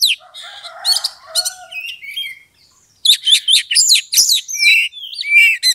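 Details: Oriental magpie-robin song used as a lure to provoke a rival to fight: a rapid jumble of sharp high chirps and buzzy notes, a short pause, then a dense burst of rising whistled phrases and clear warbles.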